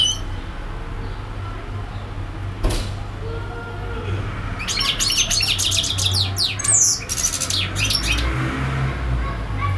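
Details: European goldfinch, a bird said to keep singing for hours on end: after a quiet start with low hum, a loud, dense burst of scratchy, tinkling twitters and buzzy notes fills the second half.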